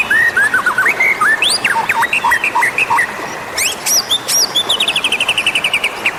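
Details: Magpie-robin caller sound for attracting wild birds: a string of short looping whistled notes repeated at a steady pace, followed by sharp high chips and a fast buzzy trill of repeated notes.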